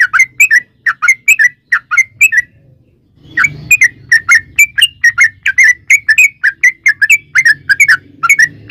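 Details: Sooty-headed bulbul in lively rolling song used as a lure for other bulbuls: clustered chirped and whistled notes in quick phrases, a brief gap, then a steady stream of bubbly notes over a faint low hum.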